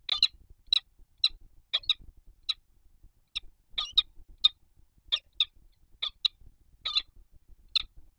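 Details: Male peregrine falcon calling to his mate from the spire of the Palace of Culture and Science in Warsaw, Poland, morning of 5 February 2021, before departure; sharp, harsh calls repeated roughly every half second, about fifteen in eight seconds, over faint low rumble.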